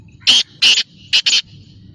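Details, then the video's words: Black francolin calling: four loud harsh, buzzy notes in two pairs, the second pair quicker, over light background noise. "Kala Teetar Awaz / Blackfrancolin Voice کالا تیتر کی بولائی"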